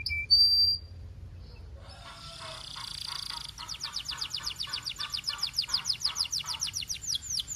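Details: Belgian canary (Serinus canaria domestica) song: a high pure whistle, then buzzy rolled phrases that become fast repeated downward-sweeping notes, about four a second.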